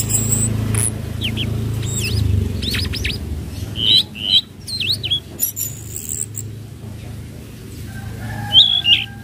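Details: A flowerpecker on a lure recording for newly caught birds gives thin, high, sharp chips and short twittering notes, irregular and a few each second, over a low steady hum.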